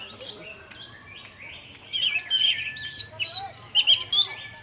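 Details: Orange-headed thrush singing 'teler' style as a lure for other thrushes: a quiet opening, then loud bursts of bright high whistles and rapid trills in the second half.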